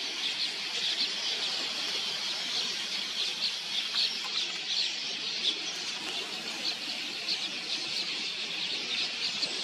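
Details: Swarms of red-billed queleas arriving to drink at a watering hole in enormous migratory flocks, a constant high-pitched chattering din of many birds blending into a steady roar with no pauses.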